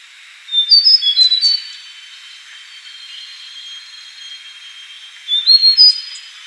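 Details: Yellow-bellied warbler gives two short bursts of very high, thin, tinkling whistled notes, each about a second long and several seconds apart, over a faint steady high hiss.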